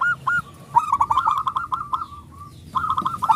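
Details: Local zebra dove with a big voice, singing actively, used as a lure to rouse other doves to sing: short bursts of mellow, hooting coos near one pitch, broken by pauses, with faint background hiss.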